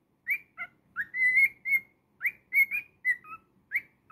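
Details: Cockatiel pet whistling its song, with rising swoops, sustained level whistles and brief dipping notes in a lively phrase repeated across four seconds, in a quiet room.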